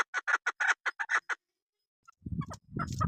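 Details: Female chukar partridge call of the kind used by hunters, from a hill area: about nine short, clucking notes in a quick series. These are followed by silence, then low rumbling noise with a few faint notes.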